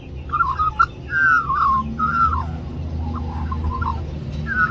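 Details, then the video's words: Magpie singing to ask for more mango at Cirillo Reserve, New South Wales, Australia; descending slurred whistles and gurgling notes, a pause, then quieter warbles and one final whistle, over faint rumble. "Magpie Sings For More Mango"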